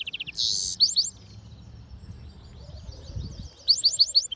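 Goldfinch mule singing a bright, fast song of tinkling chirps and twittered notes high in pitch, with a short pause midway; faint low background hum.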